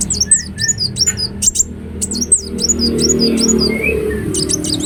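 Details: Ruby-cheeked sunbird singing readily, a lure for other birds: repeated high chirps and short slurred squeaks at a quick pace, some lower whistled notes, and light background rumble.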